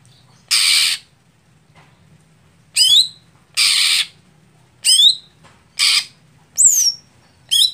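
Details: Greater green leafbird, contest setting for a sluggish, late-working bird: spaced harsh rasps and bright downward-slurred whistles, with gaps of up to two seconds between notes.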